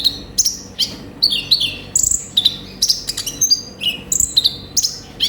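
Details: Olive-backed sunbird song used to lure and stimulate birds: sharp chips, sweeping downslurred whistles and brief trills in an irregular, excited sequence, very high-pitched throughout.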